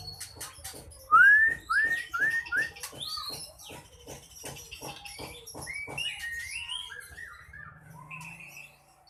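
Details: An ekor pendek bird singing aggressively, meant to rouse rival birds to fight for bird contests: a series of four clear, rising whistled notes about half a second apart, then varied short chirps and slurred notes over a steady clicking background.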